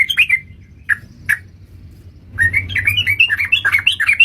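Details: Sooty-headed bulbul lure call for trapping birds: a few sharp, separate chirps, then a pause, then a lively run of quick, warbling, up-and-down notes with a faint low rumble underneath.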